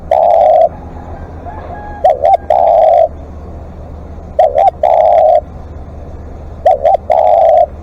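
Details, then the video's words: Spotted dove calling as a live decoy: a steady low coo, then two quick hoots leading into a long flat coo, repeated several times at a relaxed even pace against quiet background hum. "เสียงนกเขาใหญ่ ต่อสดเรียกยาวๆ"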